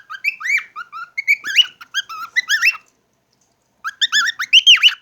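Cockatiels give a quick run of rising, warbling whistles and chirps, pausing briefly before another burst.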